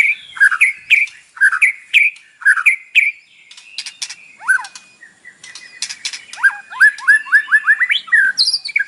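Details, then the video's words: White-rumped shama morning lure song with mimicry fill, meant to make a kept bird sing. Looping two-note whistled phrases repeat about once a second, then scattered clicks and a run of falling slurred notes. "PANCINGAN pagi hari EFEKTIF bikin Gacor dengan suara murai batu isian"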